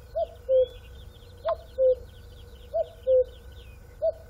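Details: A cuckoo repeats its descending two-note call about every 1.3 seconds, with light chirps from other birds and a brief click partway through.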